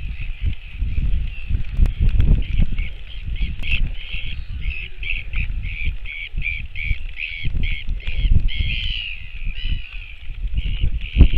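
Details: Northern royal albatross on 28 July 2024, an adult back at the nest feeding its chick: a long series of rapid, pulsed squealing notes, slightly rising near the end, against steady wind noise.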